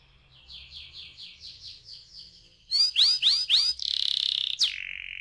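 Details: Canary singing a lure song meant to prompt other canaries into rolling song: soft repeated whistled notes, then three loud sweeping chirps, a buzzy sustained trill and a sharp descending note.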